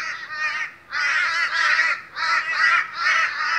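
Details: Boisterous Australian crows at a morning gathering: bursts of loud overlapping raspy caws separated by brief pauses, four main surges of calling from several birds.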